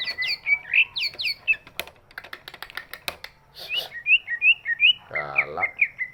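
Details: Big-bodied greater green leafbird used to prompt reluctant birds to sing; whistled notes around the upper-middle register with sharp slurred sweeps, broken midway by clicks and knocks, then a run of short rising chirps and a brief harsh patch.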